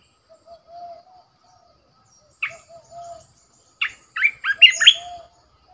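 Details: Decoy red-whiskered bulbul mixing soft, low drawn-out whistles with sudden bursts of quick, bubbling whistled notes that swoop up and down.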